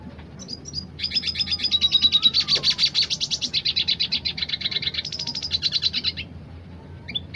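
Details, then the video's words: Dilute red siskin delivering a roll tembak song: after a few short chirps, a sustained rapid buzzy trill runs for about five seconds with whistled notes woven through, then fades to scattered chips. "Siskin dilute gacor tipe roll tembak"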